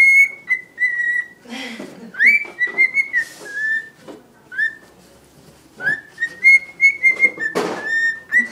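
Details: Male cockatiel, a year old and kept as a pet, sings to a tissue with sustained, steady whistles and short stepped phrases, interrupted now and then by brief rustling noises.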